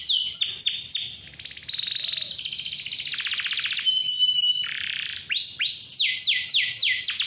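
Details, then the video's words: Lively canary singing clearly, meant to coax young or lazy canaries into song: repeated downslurred whistles, then long rapid trills and rolls changing tempo every second or so, ending in rising and falling swept notes. "KICAU KENARI GACOR SUARA JERNIH COCOK BUAT PANCINGAN || PANCINGAN KENARI"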